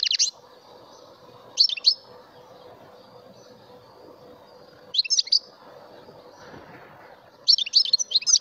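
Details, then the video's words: A mutation European goldfinch utters short scattered bursts of high, sharp twittering chirps separated by gaps of two to three seconds, with a steady low hum and soft background noise throughout. "مقنين طفرة ويداني ناااااار !"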